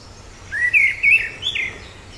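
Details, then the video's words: Orange-headed thrush calling: one short warbled whistle phrase, rising then wavering up and down in the middle pitch range, lasting about a second against a quiet background. "橙頭地鶇/Orange-headed Thrush(Zoothera citrina)call"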